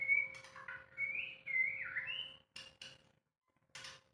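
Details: White-rumped shama in unedited song: pure whistled notes stepping and sliding between pitches for about two and a half seconds, then a few short clicks or taps and near silence, with a low steady hum.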